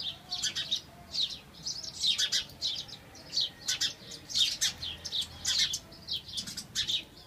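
House sparrows give a steady run of harsh, repeated chirps, several each second, with some overlapping as more than one bird calls.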